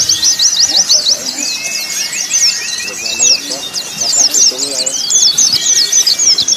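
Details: Several white-eyes in a training mix that includes female calls to males and male song sing at once in rapid, high, twittering warbles that overlap without pause, with faint low voices murmuring underneath.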